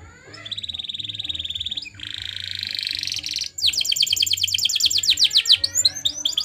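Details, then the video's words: Canary singing a Spanish Timbrado training song: a steady high bubbling trill, then a lower buzzing roll, then a loud fast run of bright repeated metallic notes ending in quick chirps, with a faint low hum beneath. "Best Canary Bird Sounds!! Suitable for your canary training"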